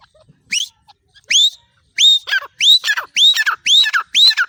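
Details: Female francolin calling: soft opening notes build into a loud series of sharply rising whistled notes, each dropping into a short falling tail, repeated about twice per second in a quiet setting.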